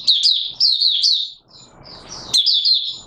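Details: Rapid, high-pitched warbling twitter from an Oriental white-eye, recorded 24 March 2022; two lively phrases split by a brief break filled with faint background noise.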